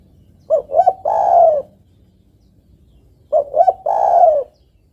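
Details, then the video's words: Female spotted dove calling the male: two phrases of soft low cooing about three seconds apart, each with a couple of short quick notes followed by one long drawn-out coo. "TEKUKUR BETINA MEMANGGIL JANTAN"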